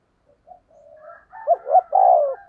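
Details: A single phrase from a spotted dove decoy meant to attract wild doves, starting with faint soft coos and ending in two short notes and a long, strong falling coo.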